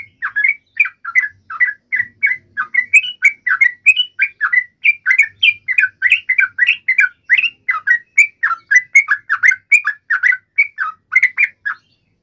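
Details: A long, steady burst of excited chattering from a yellow-vented bulbul provoked to fight, with rapid, slightly slurred chirps following one another closely and evenly.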